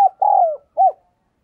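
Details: Spotted dove decoy calling to attract others, giving a long, low, slightly falling coo followed by a shorter rounded coo, in quiet surroundings.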